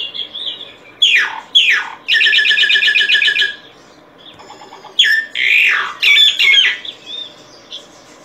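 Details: Solitary cacique in song, two steep downward-sweeping calls followed by a fast, even mechanical rattle lasting over a second, a pause, then loud rasping squawks and a whistled ending.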